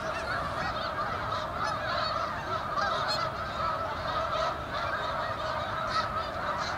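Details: Canada geese gathered at a reservoir in Utica, New York, in November, honking constantly in a crowded chorus of nasal, slightly rising calls that overlap without pause.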